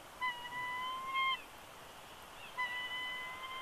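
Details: At a Big Bear Lake, California bald eagle nest in January 2020, the male resists leaving the eggs. Two long, steady, pure whistled whines, each about a second long, sound over a quiet hiss.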